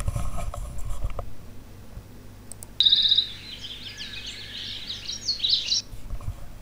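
A Bewick's Wren sings one three-second phrase: a high buzzy opening note, then a quick jumble of bright, varied notes climbing higher. A low hum and faint clicks sit underneath.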